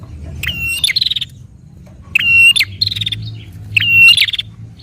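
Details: [4, 'Prenjak (prinia) in constant fighting song, used as a lure to make a caged prinia sing: three loud bursts, each a sharp clicking note followed by a thin buzzy trill, with quiet gaps between.']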